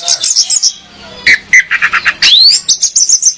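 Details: Female orange-headed thrush call used to attract a male and spur him to sing, for training: a high chattering run, then lower repeated whistled notes, a rising slur and a quick high trill.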